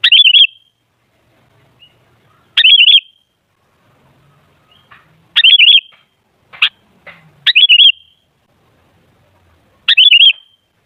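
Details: Sooty-headed bulbul, played as a lure to excite other bulbuls into song: five bright, bubbling phrases spaced a few seconds apart, plus a couple of short sharp notes.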